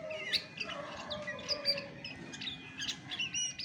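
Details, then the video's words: Chestnut-backed thrush song, the bird's own voice without other training birds mixed in: quick high chirps and short whistled notes in scattered bursts, with a faint steady tone running beneath. "SUARA ASLI ANIS MACAN TAPA MASTERAN"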